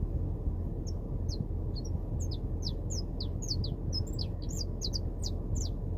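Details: Saffron finch in the wild giving a steady series of sharp, high chirped notes, sometimes doubled, continuing throughout over heavy low-pitched rumbling noise.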